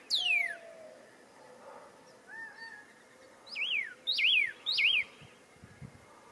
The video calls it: Pyrrhuloxia bird nextdoor, relaxing listen bird sounds